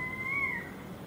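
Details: A currawong in a garden in Enmore, Sydney, NSW gives a single clear whistled note that swells slightly then slides down over about half a second, over a faint background hum.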